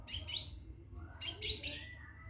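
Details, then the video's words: Scarlet minivet, caged, calling for a mate: two rapid double and triple bursts of shrill high chirps, the second set followed by a thin drawn-out high whistle. "Burung Seppah Raja Gacor Di Dalam Sangkar panggil betin kawin"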